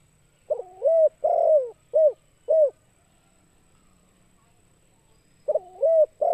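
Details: Spotted dove calling to lure other birds, with deep hollow coos. A rolling double coo, a long falling coo and two short notes form one phrase, and the next phrase begins after about three seconds of near silence.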